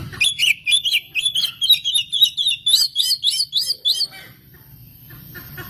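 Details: Oriental magpie-robin (kacer) lure song: a fast even series of about sixteen repeated bright chirped notes, roughly four per second, ending abruptly into quiet background hiss.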